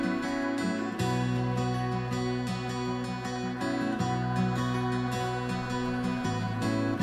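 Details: Gentle instrumental music with sustained low tones and soft plucked notes, with no animal calls.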